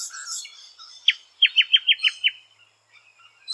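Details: A rainbow lorikeet near its nesting hole in Australia gives soft chatter, then a quick run of six sharp, downward-sliding notes at an even pace, followed by quiet.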